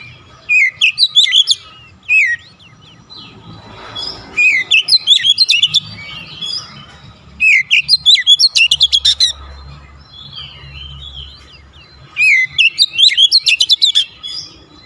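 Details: Oriental magpie-robin (kacer) singing persistently in gacor style, pouring out its repertoire: three bursts of slurred whistles mixed with fast scratchy clicking chatter, separated by short pauses; faint low hum beneath.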